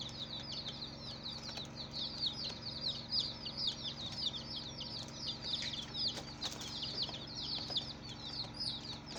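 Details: Baby chicks of many colours chirping nonstop: a dense stream of high, short peeping notes, each sliding downward, overlapping from several birds, with a faint hum beneath.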